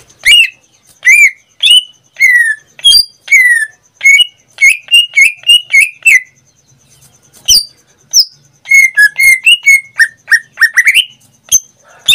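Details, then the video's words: Caged greater green leafbird from Indonesia in full song, a long run of varied slurred whistles, some falling, some rising, broken by a short quiet gap and sharp high clicks. "Suara cucak ijo suaranya tidak diragukan lagi"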